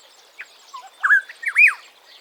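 African Black-headed Oriole gives a short, liquid phrase of slurred whistles, a few soft notes building to two rich, swooping ones, over faint background hiss.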